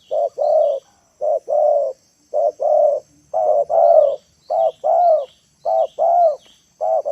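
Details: Spotted dove in Indonesia calling in the afternoon as a decoy to lure wild birds down to the ground: a steady series of low, mellow cooing notes grouped in pairs, repeated about once a second, over faint high background twittering.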